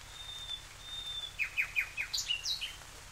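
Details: Nightingale song opening with a long, thin, steady whistle, then a quick string of sharp down-slurred notes and a few high, bright chirps, over soft background hiss.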